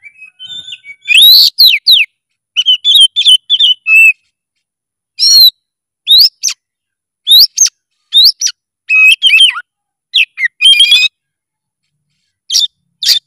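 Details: Oriental magpie-robin in extended, emotional full song: a long series of loud rising whistles, warbled scratchy clusters and quick trills, phrases spaced irregularly over about thirteen seconds with short pauses.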